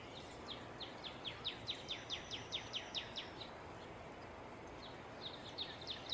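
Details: Female northern cardinal singing a rapid series of clear downslurred notes, about two per second, swelling then fading, followed by a shorter run of similar notes.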